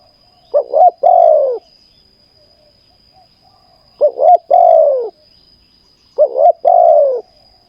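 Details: Spotted dove calling during ground decoy trapping: three phrases spaced nearly three seconds apart, each two quick clipped notes then a drawn-out coo that slides downward.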